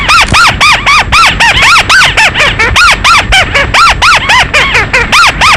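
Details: Chim mắt xéo calling, recorded for use as a night lure: continuous harsh, arched squeaks with strong overtones, repeated rapidly at about four notes a second.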